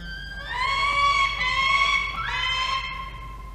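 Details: A five-week-old female peregrine falcon nestling at a nest-cam, 7 November 2023, 5:47 pm, losing its down, gives two long, wailing, slightly rising cries in succession over faint hum.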